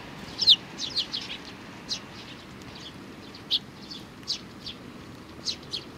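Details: Group of Eurasian tree sparrows with a young one, 27 June 2019. Scattered bright chirps, some in quick pairs, then pauses of a second or more before the next high note.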